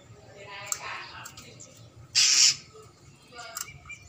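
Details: A bar-winged prinia, given a mirror to provoke it to call, gives one loud, harsh, buzzy half-second burst, with softer squawky notes before and a brief scratchy note after.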